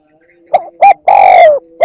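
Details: Spotted dove 'kích bổi' luring call: one full cooing phrase of two brief notes, a longer sustained coo that falls gently, then a closing hoot. A faint low steady hum lies underneath.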